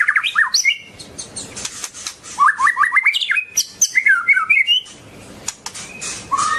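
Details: Varied song of a long-tailed white-rumped shama, with bursts of rich whistled phrases that rise and fall, quick slurred note runs and sharp high chips between short pauses.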